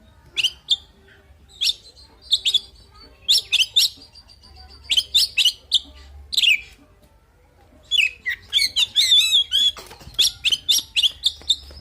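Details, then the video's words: Fighting song of an oriental magpie-robin: clusters of sharp, high chirps repeated in short groups, then a rapid tumbling run of varied whistled and scratchy notes, then more clipped chirps. "Suara Burung Kacer Full Isian Tarung Bikin Emosi"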